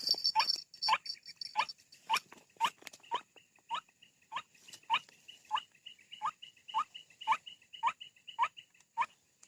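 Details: Lure call of the white-breasted waterhen, played to bring birds out of thickets: a run of short harsh notes about twice per second, with a fainter high chattering series running beneath them.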